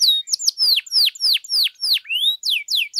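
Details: Domestic canary singing, a lure recording played to stir other canaries into song: loud whistled notes sweeping sharply downward, about four per second, broken near the end by one rising slur.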